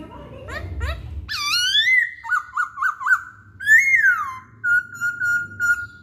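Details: Masked laughingthrush singing, used as a lure to prompt other birds to sing: loud rising whistles, a series of short looping notes, a descending slurred phrase, then steady level whistled notes.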